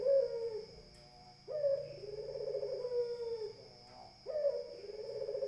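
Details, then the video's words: Barbary dove cooing in a persistent rhythm: three phrases, each beginning with a sudden rising note and stretching into a long, burring, slightly falling hum, with short pauses between. A constant high whine accompanies the calls. "SUARA PUTER BIKIN_EMOSI _BURUNG_LAINNYA"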